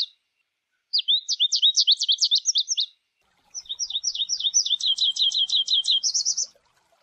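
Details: Two long, rapid twittering phrases from an American goldfinch singing in nature, high and sparkling, the second rising into a buzzier, brighter trill at its end. The background stays clean.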